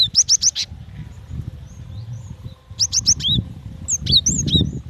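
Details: Female cinereous tit calling the male, used as a lure to draw other birds into calling: three quick high upslurred chirps, a pause, then another burst of four and a final scatter of bent notes over a low rumbling background.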